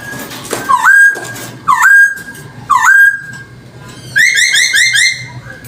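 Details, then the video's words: Chinese hwamei singing, a recording meant as a lure: three loud upslurred whistles about a second apart, each sliding up then held, followed by a quick run of repeated warbled notes. "Audio suara burung poksay hongkong || cocok untuk pancingan"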